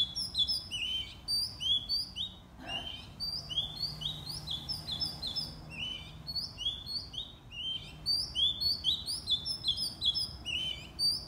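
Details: A white-rumped shama sings in the morning, a rich, continuous run of varied whistled and chirping phrases, high and quick, with brief pauses between bursts.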